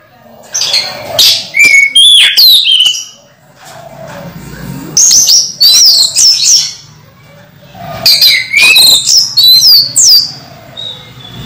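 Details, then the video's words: Orange-headed thrush, caged and moulting yet singing strongly: three long runs of loud, fast, varied high whistles and trills, separated by short pauses. "Anis merah mabung masih teler"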